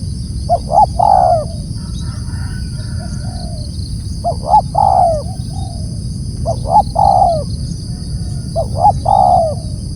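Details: Spotted dove giving a loud call, about four phrases in ten seconds. Each phrase has two or three quick coos ending in a drawn-out, descending note. A softer, distant coo follows some phrases over a constant low rumble and high hum.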